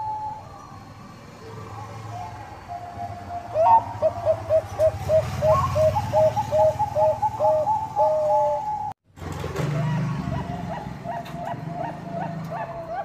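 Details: Singing Bangkok zebra dove, used as a lure to prompt rivals to sing. Soft level coos give way to a fast staccato run of short, bright, clipped notes. After a brief silent break, more rapid clipped notes follow over low rumbling background noise.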